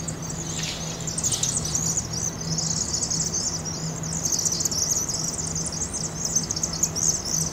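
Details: Migrating Vaux's swifts in a flock of thousands entering a chimney roost in Eugene, Oregon, in fall, sped up 2.5 times; a couple of soft thumps early, then intense shrill chattering building louder, low hum throughout.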